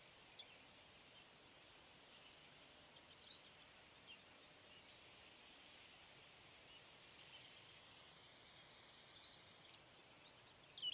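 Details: Brown-headed cowbird giving thin, very high whistled notes, some with a short gurgled start, repeated about every one to two seconds over a steady hiss of background noise.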